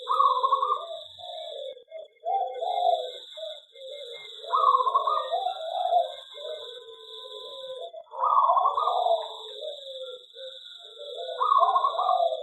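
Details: Zebra dove in an aviary repeating its song four times: each phrase opens with a bright rapid trill, then tumbles into lower bubbling coos, about every four seconds, beside a constant high whine.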